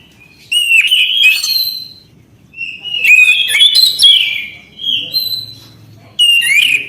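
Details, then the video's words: Orange-headed thrush singing persistently: loud, clear whistled phrases with sharp rising and falling notes and quick warbles, delivered in bursts of one to two seconds separated by short pauses, with faint low background murmur. "Anis kembang gacor anti macet bunyi"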